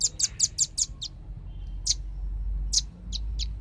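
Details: Velvet-fronted nuthatch played as a bird-attracting lure. Opens with six quick, sharp, high chips, then scattered single high notes over a rumbling low background.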